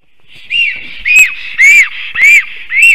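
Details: At its nest site in Latvia, a black stork returning home sings and defends before flying off again at 5:58 pm on 9 April 2024, giving five wheezy, arched, rise-and-fall whistles at about two per second over faint hiss.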